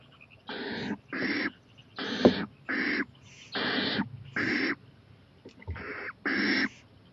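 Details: Owl at night, 11:26 pm on 23 April 2018, venturing onto a porch and eyeing a playground; eight harsh, breathy hissing bursts, each about half a second, repeated at irregular intervals over a low background hum.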